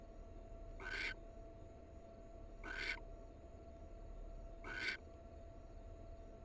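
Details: Barn owl, one of a wild pair. Three rasping, breathy screeches spaced about two seconds apart, each short and broad like steam escaping, over a constant low hum.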